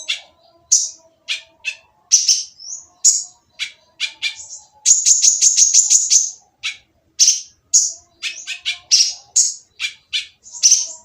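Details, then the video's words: Noisy purple-throated sunbird song meant to set other sunbirds singing. Long run of sharp, high chips, then a fast, steady burst of about twelve rapid notes, followed by more scratchy, irregular chirps. "konin yang diam malas bunyi akan nyaut jadi gacor setelah mendengar suara konin berisik ini !!"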